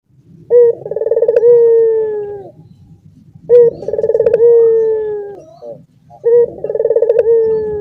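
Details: Caged Barbary dove cooing while other doves sharing the cage join in; three deep rolling coos, each opening with a short note then a pulsing, slowly falling tone of about two seconds, repeated roughly every three seconds over a low background hum.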